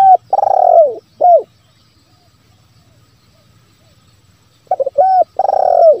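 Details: Spotted dove lure call used to draw wild doves into calling: low mellow cooing phrases, a short hoot followed by a longer falling coo, given twice with a long pause between, in a quiet setting.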